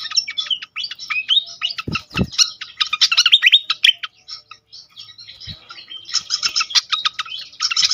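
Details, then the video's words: Pied fantail (sikatan kipas) song used as a lure: lively jumbled high whistles and chips, varied and quick, with a couple of low thumps and brief pauses. "on konsLet sekali pancing bikin cepat gacor sikatan kipas lain"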